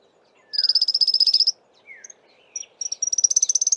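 An African firefinch gives two fast, high, even trills separated by a few soft, scratchy downslurred notes, against a low steady background hum.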